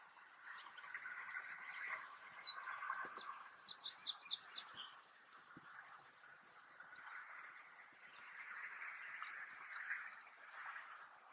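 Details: A Savannah Sparrow sings from a field where the pair nests, in answer to another sparrow. Thin high notes and a stuttered trill run into a fine buzz, above a steady lower hum of background noise.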